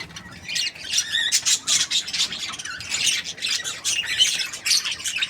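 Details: Happy budgerigar sounds: a soft start leading into bursts of scratchy chirps and quick squeaky warbles, pulsing in short loud flurries with a few rising whistled notes mixed in.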